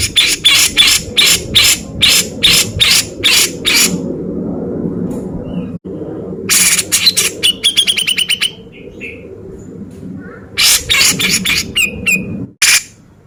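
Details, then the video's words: Male Grey-cheeked Bulbul singing hard in beset ngepik style for training contest birds: long series of rapid, sharp rasping notes in bursts, with a brief whistled note between them, over a murmuring low background rumble. "Cucak Jenggot Gacor Mewah Beset Ngepik"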